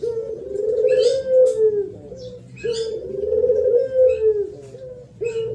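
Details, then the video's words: Thổ pháp cooing of a spotted dove for provoking wild males and females: low, throaty coos in quick phrases with rolling, wavering pitch, and scattered high chirps of small birds. "Tiếng Chim Cu gáy thổ pháp mới nhất 2023 hay nhất dùng kích bổi kích trống kích mái"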